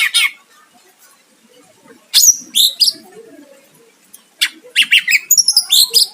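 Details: Greater green leafbird song meant to lure a rival into answering, with scattered loud buzzy bursts and high thin whistles separated by a quiet gap, ending in rapid chattering notes.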